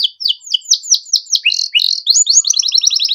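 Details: Singing canary used as a training master for other songbirds: slow, separate falling chirps that speed up into two dipping slurs and a quick high rattling trill.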